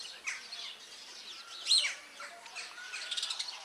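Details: Superb starling gives scattered high chirps and one louder sharp whistled note midway, with softer buzzy twitters and faint thin tones underneath.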